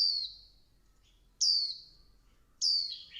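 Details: Female Swinhoe's white-eye provoking the male to sing: three bright, high notes dropping in pitch, spaced over a second apart, the last ending in a lower buzzy slur.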